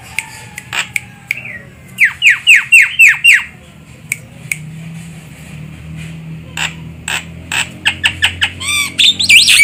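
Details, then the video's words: Javan myna call used to lure birds for trapping: scattered sharp clicks, then a burst of six loud descending harsh notes, later clicks and short notes ending in a squealing wavering phrase, over a low engine-like hum. "Suara burung jalak kebo untuk pikat"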